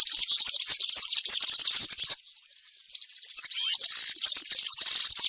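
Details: Country-style (campero) woodland song of a European serin, meant for teaching young birds: dense, shrill, fizzing jingle that breaks off for a moment, then resumes with fast squeaky, tinkling phrases.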